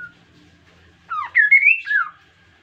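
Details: An insect-eating Kaso-kaso bird singing actively as a lure for other birds. A single bright phrase of looping, up-and-down slurred whistles lasts about a second after a faint short whistle.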